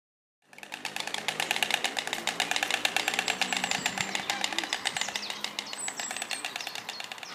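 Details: A nesting white stork's dry, wooden bill-clattering rattles on as a fast, steady run of knocks for several seconds, with a thin high bird whistle briefly behind it.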